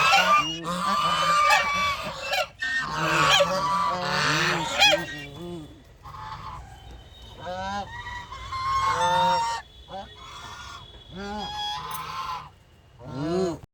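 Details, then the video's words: Duck calling in a rapid run of harsh, honking quacks, some overlapping. The calls come thick at first, then thin out into scattered single notes with brief quiet gaps. "cute duck sound duck"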